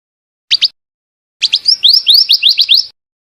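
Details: Female scarlet minivet giving a quick double whistle, then a longer, slightly accelerating series of about ten bright, upward-sliding notes.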